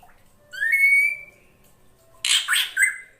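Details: Female drongo call meant to lure a male: one long, bright whistle sliding gently upward, then a harsh triple squawk closing with a short whistle.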